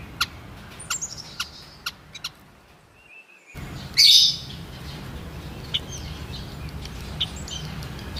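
White-headed munia giving thin, high, sharp chips at irregular intervals, with one louder squeaky burst midway, over a soft background hiss.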